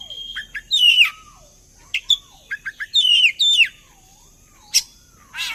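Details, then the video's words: Oriental magpie-robin song played as a lure to make other birds sing along: varied whistled phrases mixed with buzzy, rasping notes and sharp chirps, two loud bursts near one and three seconds, a faint wavering lower tone beneath. "Suara pancingan burung Kacer agar ikut narung"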